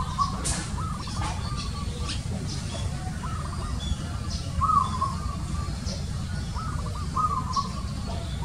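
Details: {'caption': 'Zebra dove calling: a series of soft, rapid staccato cooing trills on a steady mid pitch, repeated in short bursts over a constant low rumbling background, with faint high chirps from other birds.'}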